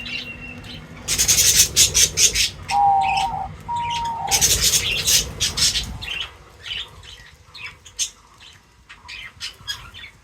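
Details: Feeding birds break into loud, dense, high chattering chirps, with two short steady whistled tones in the middle, then softer scattered tweets fade out over the last seconds.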